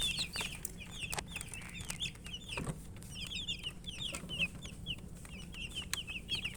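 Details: Coloured baby chickens, thirsty and eating, make high, thin peeps in clusters of two or three notes. Scattered pecking clicks and a low thump sound in the background.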